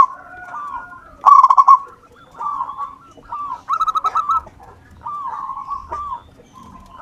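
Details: Zebra dove, local wild type, calling actively for luring: a sharp pulsed trill, then a sequence of medium-pitched warbling coos and a second rippling stuttered phrase.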